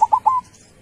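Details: One phrase from a local zebra dove (perkutut), described as singing strongly with a big voice: three quick clipped coos run into a held, level final note. The background is quiet.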